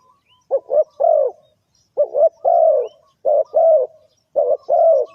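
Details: Repeated cooing of a spotted dove, the sound used as a lure for trapping birds: paired short notes then a sustained falling coo, four phrases in steady succession.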